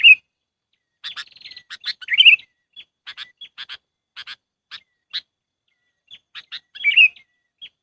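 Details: Sooty-headed bulbul lure call used for trapping: a bright chirping phrase, then a run of short clipped notes around two seconds apart, ending with another burst of rich bubbly chirps. No other sounds.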